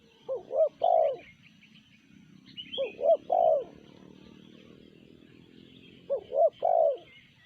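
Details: Sanji-style cooing of a spotted dove, three phrases of two quick hooting notes and a drawn-out lower coo, spaced around three seconds apart, with soft twittering of small birds behind.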